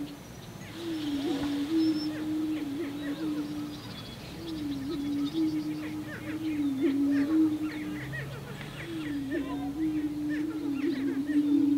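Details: Lekking greater prairie chicken males in their March–April mating ritual: deep, hollow moaning booms about two seconds long repeat every three to four seconds, with scattered chattering and cackling calls from other displaying birds.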